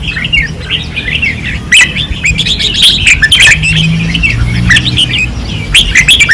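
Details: Caged red-whiskered bulbuls at a training perch in Pattani sing vigorously, overlapping lively warbles and abrupt chirps almost without pause, with faint low rumbling beneath.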